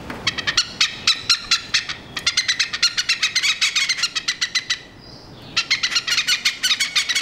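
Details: Two oriental pied hornbills on a TV aerial over a Singapore house, noisy and exchanging pecks: rapid harsh cackling notes, about four per second, in long runs with a brief pause, plus a thin whistled note from another bird.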